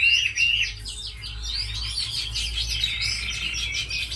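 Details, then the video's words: Tame Chinese hwamei, described as a good fighter and sweet singer, opening with two clear level whistles, then a dense fast-paced flow of jumbled whistled notes and trills over a low background hum. "Mi thuần đấu tốt hót hay"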